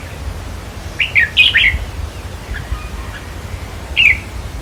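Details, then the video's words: Red-whiskered bulbul song for decoy trapping, played to excite caged birds: a quick phrase of four lilting chirps, followed a few seconds later by one short downward-sliding note. "ต่อเพนียดนกกรงหัวจุกแก้มแดง เปิดให้นกฟัง ยั่วให้นกคึก"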